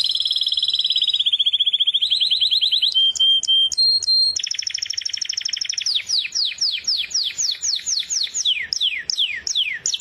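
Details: European goldfinch of a white mutation in full song: fast rolling trills at shifting pitches, a few short sustained whistles, then a long run of downward-sliding whistled notes repeated several times a second, nothing else audible.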